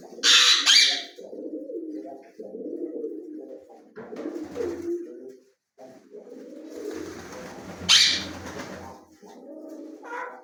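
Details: Ring-necked parakeet kept indoors in a small room, mumbling speech-like chatter in low, voice-like phrases. Two piercing screeches break in, one at the start and one about two-thirds through.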